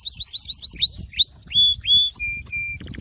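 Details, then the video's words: Syrian canary singing: a run of quick falling notes, then rising, curving whistles, two steady level whistles, and a closing burst of fast, buzzy trill. "تغريد كناري السوري"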